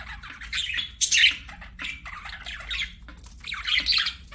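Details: Budgerigars singing during play, with softer, warbled chirps and rising squeaky notes, plus several louder scratchy bursts spaced through the clip.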